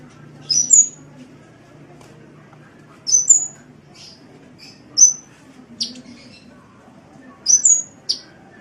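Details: Sunbird song recorded as tutor material for cage birds: sparse, very high chirps with upward whistled flicks, in phrases about every two to three seconds over a faint low hum.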